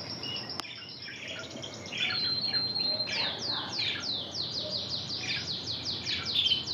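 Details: Trained Spanish Timbrado song from a red intensive canary: soft twitters, a short high whistled note, then a rapid sequence of descending swept notes, about three per second.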